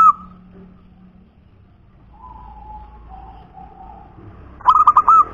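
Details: Local wild zebra dove, known as a punden dove: quiet, low drawn-out coos, then one loud phrase of four rapid rolling notes ending in a longer whistled coo.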